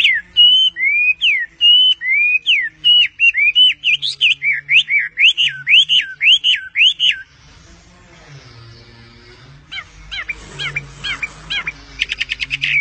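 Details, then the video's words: Perched on its owner's hand, a bird delivers about seven seconds of repeated, looping whistled notes, roughly two per second. A quieter stretch with rustling follows, then a few high chirps and a fast buzzy trill. "passaro cantando na mão do seu dono"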